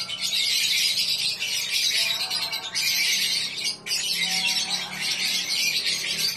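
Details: Lovebird from Samarinda, Indonesia, a contest bird, delivering long bursts of shrill, rapid chattering with a faint low hum underneath; two short breaks split the continuous scratchy trilling.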